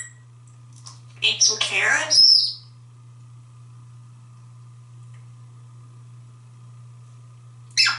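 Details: African grey parrot, a talkative pet male hatched in 1997, living indoors in a home in Texas, vocalizing after a shower: a burst of harsh, speech-like chatter with a bright whistled note, then quiet with steady low hum, another burst at the end.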